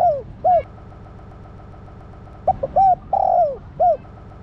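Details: Female spotted dove calling to excite the male. A falling coo and a short rounded coo, a two-second pause, then a full phrase: quick notes, arched coo, long descending rolling coo, final rounded coo.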